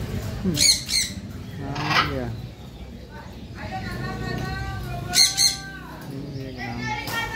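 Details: A baby blue macaw, said to be native to Africa, eats while giving loud, harsh squawks with rich harmonics near the start and again around five seconds, with human speech in between.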